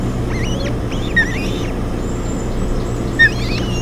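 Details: Ospreys at a nest on Hog Island on 7 June 2017, recorded by a nest camera as an adult arrives with a fish and the female feeds three chicks. Brief high whistled chirps that rise and bend, in short bursts, over a steady low mechanical hum.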